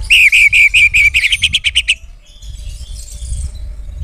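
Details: Oriental magpie-robin in energetic full song meant to provoke rival birds: a fast series of about ten sharp, clipped chirps at steady pitch for two seconds, then trailing off to faint twittering over low background rumble.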